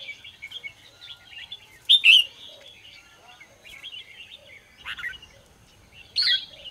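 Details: Red-whiskered bulbul singing in the morning, used to train and stir other bulbuls; fainter rambling warble with three louder whistled bursts spread across the recording.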